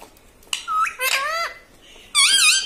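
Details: Talking parrot (tota) trained to say 'papa' and 'mummy' produces short nasal syllables, a flat squeaky note, then a sustained buzzy, word-like sound at the end.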